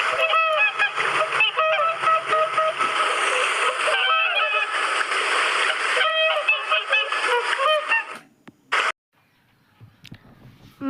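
A flock of swans gives loud, nasal, trumpeting honks, many overlapping in a fast chorus for about eight seconds before cutting off. A brief voice follows.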